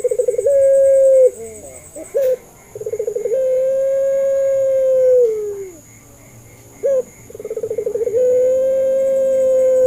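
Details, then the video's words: Two full calls from a puter pelung dove used to encourage other doves to answer: short upslurred notes, a rattling trill and a prolonged steady coo that fades downward. "SUARANYA❗, PANCINGAN MASTERAN BURUNG PUTER"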